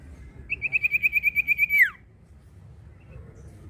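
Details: Singing common iora: around twelve fast, evenly spaced whistled notes on a level pitch, finishing with a falling slur, then quiet background hum.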